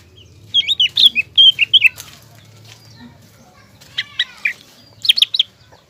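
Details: Green leafbird singing to provoke a young spotted leafbird into a fighting temper: short clusters of sweet, slurred chirps separated by quiet gaps, with a low hum underneath.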